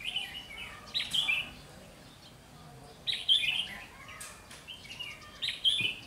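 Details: Red-whiskered bulbul used as a trapping decoy in Vietnam, recorded 30 June 2020: short, rich chattering warbles in three bursts roughly two seconds apart, with faint rustling between them.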